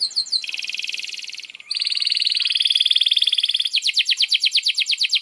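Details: Canary in song for training young canaries: long buzzy rolling trills at high pitch, changing tone midway, then a faster trill of repeated sweeping notes.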